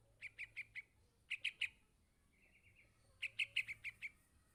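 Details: Begging yellow-vented bulbul chick calling for its parent: groups of quick, high, piercing chirps of four, three and then about seven notes, with a brief soft trill between.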